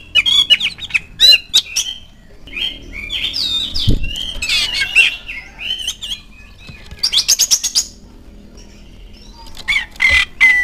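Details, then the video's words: Oriental magpie-robin (kacer) lure song used to prompt a caged kacer to start singing: rich, varied song of sweet whistles mixed with harsh chattering and scratchy notes in quick bursts, with a thump partway through. "DENGAN PANCINGAN INI SEKETIKA KACER ANDA LANGSUNG NYAUT IKUT BUNYI"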